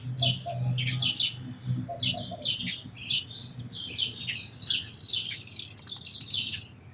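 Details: Sparrows chirping rapidly, several short notes per second, building into a dense, overlapping chatter of many birds toward the end.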